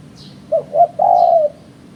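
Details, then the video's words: Spotted dove calling, a bird used by trappers as a lure: a soft, low coo phrase of two short notes followed by one long, drawn-out note, with quiet background hiss. "Suara Burung Terkuku"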